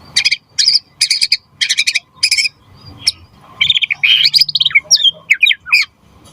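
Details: White-rumped shama (murai batu) song meant to spur other birds into singing: rapid harsh buzzy bursts repeated several times, then a tumbling mix of chatter and sliding whistles.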